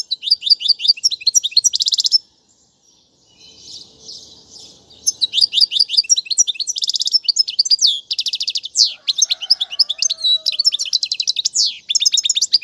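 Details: European goldfinch singing a tutoring song for fledglings: quick sweet twitters and buzzy trill runs, a short pause with faint low rustling, then a long lively stretch of chirps and rattles.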